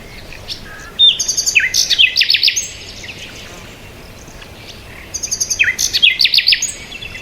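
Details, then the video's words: Two bursts of rapid, bright bird chirping about four seconds apart, each a fast run of sharp twittering notes, separated by a near-silent pause with faint hiss. "bird chirping sound"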